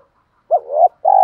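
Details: Spotted dove cooing to stimulate birds in training: a bent, swelling coo followed after a short gap by a steady, sustained coo that runs to the end, quiet otherwise.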